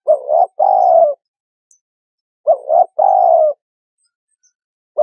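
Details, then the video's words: Spotted dove cooing, played as a lure for trapping birds: two phrases of a brief two-part coo then a long, level, throaty coo, separated by clear silence. "Tiếng Chim Cu Gáy"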